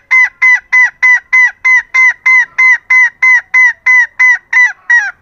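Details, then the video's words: Female green junglefowl used as a lure to draw in and excite males. A steady, even series of sixteen short, nasal, honking notes follows at roughly three per second, clean and loud against a silent background. "Suara Ayam Hutan BETINA GACOR"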